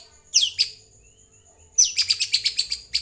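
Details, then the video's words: White-rumped shama singing as a lure to prompt other birds to reply and sing: two sharp high chirps, a thin steady whistle, then a rapid burst of about ten clipped notes. "Pancingan murai jadikan burung anda ikut nyaut dan gacor"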